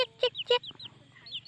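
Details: One of only two Hmong chicks, raised by a foster hen, gives shrill, falling peeps, about four in under two seconds, crying loudly from fear when no people are near; a woman's voice briefly sounds over them.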